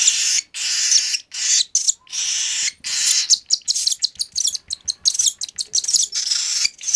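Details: Three-week-old hand-fed baby cockatiel gives raspy, hissing begging calls, long drawn rasps at first, then quickening into a string of short choppy bursts roughly every fraction of a second.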